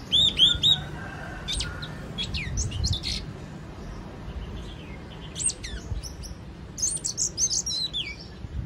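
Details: Yellow-cheeked tit opening with two looping whistled notes, then scattered sharper chips and a later cluster of descending whistles, with faint clicks and a low background rumble throughout.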